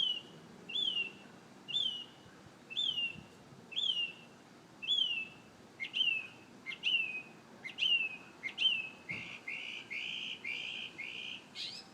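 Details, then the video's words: Morning song of a bird: a run of whistled rising-then-falling notes about once a second, shifting near the end into harsher, buzzier repeated notes. "Amazing Bird sings 25 different sounds"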